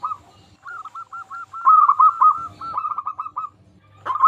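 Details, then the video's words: Singing local zebra dove, used to draw other zebra doves into song; after a quiet start, a stream of fast, purring coo notes at steady pitch, a short gap, then a fresh loud phrase begins at the end, with faint low knocks. "Perkutut Lokal Gacor Suara Paling Ampuh Untuk Pancingan Burung Perkutut Agar Bunyi"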